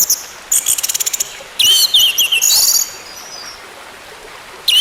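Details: Song of an orange-headed thrush, intended to restart a bird that has stopped singing: a fast rattling trill of high clicks, then twisting, sliding whistles and a bright squeaky burst, with a quiet pause before a final note.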